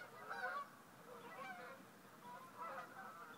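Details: Geese calling over a wetland marsh at sunrise on a Sunday morning, with several nasal honks overlapping in bursts, the loudest near the start and again toward the end.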